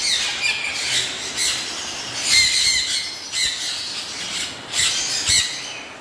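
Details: Caged caique parrot uttering rough, high squawking calls in irregular bursts roughly every second, with a faint noisy background.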